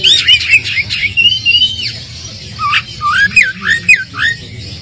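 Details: Oriental magpie-robin lure song to provoke a reply from a less aggressive bird: sweet warbled whistles at first, then a series of upward-swooping whistled notes repeated roughly twice a second.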